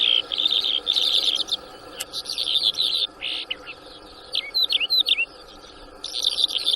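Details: In Shamani, Lakki Marwat, Khyber Pakhtunkhwa, a newly trapped bimaculated lark on 6 March 2024 delivers long scratchy twittering runs, a pause, then several clear dipping whistles before chattering resumes, over a low continuous hum.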